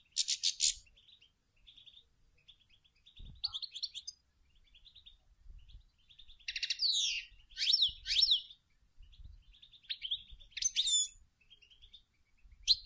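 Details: European goldfinch female producing song and calls to stimulate males to sing: repeated bright jangling phrases with sweeping slurred notes and soft twittering between, over a quiet background with occasional low knocks.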